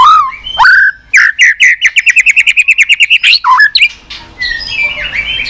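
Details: White-rumped shama singing with continuous tack notes, used to stir up young birds and those lacking spirit; rising whistles, then a rapid run of about fourteen bright repeated notes, a falling whistle, softer warbling after.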